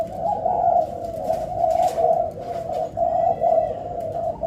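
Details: Spotted dove giving its stuttering song variation, pesom ori style: a near-continuous chain of soft, low coos broken into short halting bursts, with a brief pause mid-way and light background noise.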